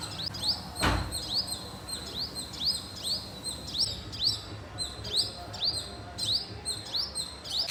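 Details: Pet birds chirping at home, sharp upward-sweeping high chirps repeated steadily several times a second, one brief thump early on, faint low hum underneath.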